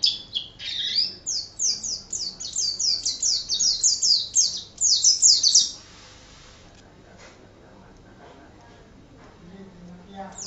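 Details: Oriental white-eye in lively 'gacor' song for tutoring other birds. A rapid string of sharp, high twittering notes, several per second, lasting about five seconds before falling silent, then a faint chirp at the end.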